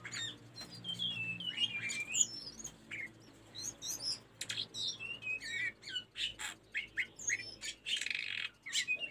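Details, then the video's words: Busy tledekan gunung song, played for training caged birds: a continuous stream of varied chirps, slurred whistles and squeaky notes in quick bursts, with a faint hum in the background. "Mp3 burung telendekan masteran tledekan gunung"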